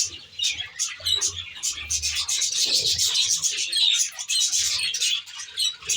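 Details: Aviary-kept budgerigars chattering together: a busy overlapping stream of high squeaky chirps and warbles, and a deep cooing hum near the start.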